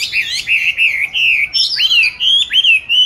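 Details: Oriental magpie-robin kept in a cage since 29 July 2020, filmed 22 March 2021 while placed in an ideal spot to practise singing: loud, sustained, warbling whistles with swooping up-and-down slurs, delivered almost without pause.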